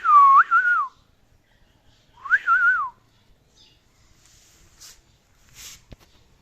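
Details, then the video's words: Male pet parrot known for talking, singing and whistling performs two matching whistled phrases about two seconds apart, each sliding up then wavering down, followed by faint soft sounds and a click. "The Amazing Talking Parrot Who Can Sing, Whistle and Speak!"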